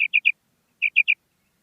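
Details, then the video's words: Common quail, stated to be a female, gives two tight bursts of three sharp, high, clipped notes, separated by about half a second of silence; no other sounds. "Female Batair Ki Awaz|Maadi Batair Ki Awaz new| Common Female Quail Calling|New maadi Batair Ki Awaz"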